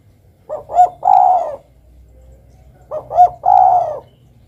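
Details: Two spotted dove song phrases about two and a half seconds apart. Each has two short soft notes followed by a long burry coo, over a faint low rumble.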